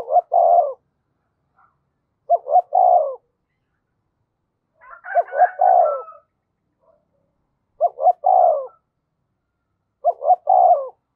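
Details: Spotted dove used as a decoy and said to coo quickly when provoked, delivering five similar cooing phrases roughly every two to three seconds, each a short stuttered pair of notes ending in a fuller drawn coo.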